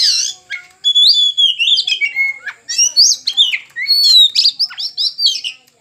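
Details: Caged kacer, or oriental magpie-robin, being tamed sings strongly: rich, rapid, high-pitched phrases mixing pure whistles, buzzy notes and quick chirps, almost unbroken throughout, on a clean quiet background.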